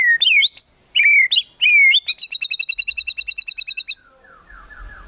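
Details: Medan white-rumped shama, song filled with imitated cililin and cucak jenggot sounds: a few loud slurred whistles, then a fast chattering run of sharp high notes lasting about two seconds.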